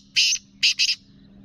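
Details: Black francolin hen voice meant to stir males, Sindh or Punjab: one long harsh grating note followed by a tight pair of shorter rasping notes, with a low steady hum underneath.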